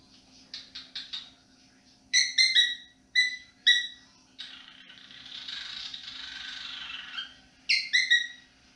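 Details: Pet cockatiel whistling melodic tunes in the evening indoors, clusters of sharp falling whistled notes repeated in groups of two or three, with a soft breathy warbling passage between, low household hum beneath.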